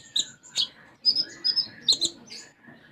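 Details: Sunbird singing a song filled with sparrow-like phrases (isian gereja): a short sequence of high, clipped chirps and twitters in small clusters over a thin whistled undertone.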